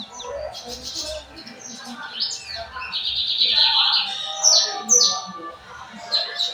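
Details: Torneiro-style song of a lined seedeater, São Luís, 4 pm on 14 May 2025. Rapid high chattering trills run into loud, sharply downslurred whistles near the end, over a soft murmur of background sound.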